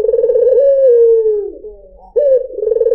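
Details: Low, purring coo of a white dove (puter putih), meant to draw in other birds, drawn out and gently sinking in pitch, followed by a brief gap and a new rolling coo.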